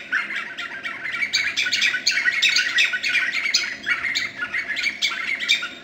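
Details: White-fronted nunbird, Boca Tapada de Arenal, Alajuela, Costa Rica, 2013: an excited stream of raspy, overlapping chattering notes that swells and fades in waves.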